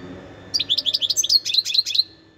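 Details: Wild European goldfinch song recorded in 2021: a short run of bright, bouncing twittered notes that quickens and fades, over a low background murmur.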